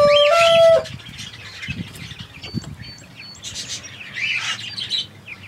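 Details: A grey cockatiel gives one loud, clear whistled note that steps briefly upward and lasts under a second. Soft chirps and rustling follow.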